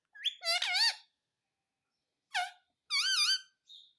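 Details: Parrot repeating "mummy": a rising squeaky note runs into a wobbling, harmonic-rich call, then silence before a short bent syllable and a longer undulating one, ending in a faint high squeak.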